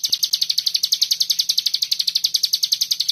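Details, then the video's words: Common iora singing a tight, rapid 'bren' style song used as a masteran tutor recording: a fast, even run of short, bright, high chirping notes, about eight or nine per second, held steadily without pause. "Masteran burung cigun Bren rapet"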